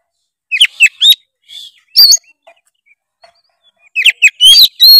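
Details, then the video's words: Energetic oriental magpie-robin 'gacor full isian' song, played as a lure for reluctant singers: rising whistles and clipped chirps in short groups, a quiet pause midway, then a rapid run of high, sweeping notes. "kacer gacor full isian memancing kacer malas bunyi menjadi gacor"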